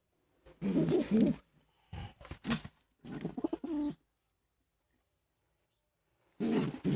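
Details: Pigeons kept for sale in India give low, throaty cooing bursts in several short phrases, separated by a few seconds of quiet, with handling noise in a small indoor space.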